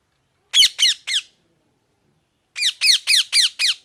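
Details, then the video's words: A pet parrot calls in two rapid series of grating, downslurred squawks: three in quick succession, a pause of over a second, then five more at about four per second. No background sound. "Parrot Chirping Sounds | Natural ParrotSounds | Parrot Calling Sounds"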